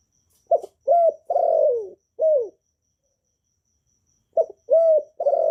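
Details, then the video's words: Kept spotted doves, played to stimulate newly kept birds to sing, in calling, urging and cooing styles, recorded without background noise: a short note and three throaty, slightly falling coos, a pause, then three more coos. "Chim Cu Gáy GỌI+THÚC+GÙ bài bản giúp bổi nhanh nổi, tiếng chim cu gáy việt hay"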